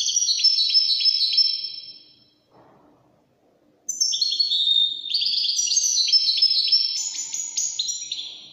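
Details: Goldfinch performing Widani-style song: rapid high twittering trill that fades, a brief quiet gap, then a sustained cascade of sweet chirps and buzzy tinkling notes.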